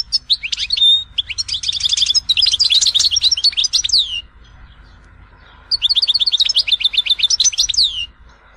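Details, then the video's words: European goldfinch singing the Tizi Ouzou style of Algerian song, kept to train young birds; rapid tinkling twittering bursts of high, buzzy and liquid notes with fast trills, a pause, then a second excited twittering phrase. "تغريد حسون تيزي وزو (كامل المقامات)"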